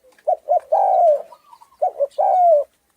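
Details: Thai-type spotted dove with a husky voice, cooing to excite other doves; two phrases, each two quick low notes and then a long downward-sliding coo, separated by a brief quiet gap.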